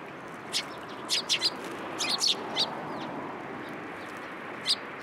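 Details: Sparrows coming to take food set out on a support post at a Tenmangu shrine, 1 February 2023, outdoors: short, bright chirps scattered through the clip, some in quick clusters of two or three, over steady background hum.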